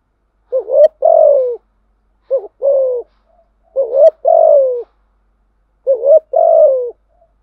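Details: Spotted dove lure song meant to pull in wild doves: four two-part phrases about every two seconds. Each is a quick wavering rising coo and then a drawn-out, slightly falling hollow note, in clean silence.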